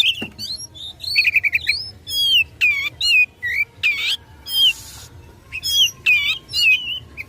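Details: Oriental magpie-robin fighting song aimed at rivals: rich slurred whistles and wavering phrases with occasional harsh rasps, delivered in spaced bursts.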